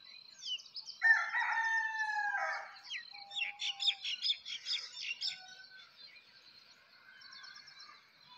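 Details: Rooster crowing at sunrise on a village morning, a loud harmonic crow lasting about a second and a half, followed by busy chirping and twittering of sparrows and other small birds.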